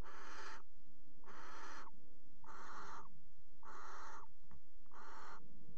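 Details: Barn owls mating at the rim of a nest box in Axel's water tower, 5 February 2018: five steady, harsh hissing screeches roughly every 1.2 seconds, plus a brief click near the end.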